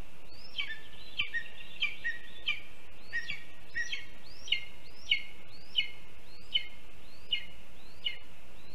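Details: Begging lesser spotted eagle nestling, Latvia, 7 July 2022, waiting to be fed a mole delivered by its father: a steady series of high, clear whistled peeps, each with a brief upward flick, repeated roughly every 0.7 seconds over soft background hiss.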